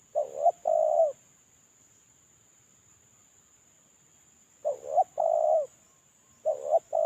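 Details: Molting male spotted dove giving its lure coo: two full phrases and the start of a third, each two quick notes and a longer steady hoot, separated by four-second then shorter pauses, with a faint background whine.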